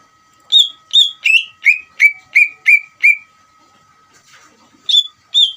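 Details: Vigorous Greater green leafbird song intended to rouse another leafbird into replying. Eight clear whistled notes that start high and step lower, each one dropping in pitch, a quiet stretch with a steady faint tone, then two higher whistles.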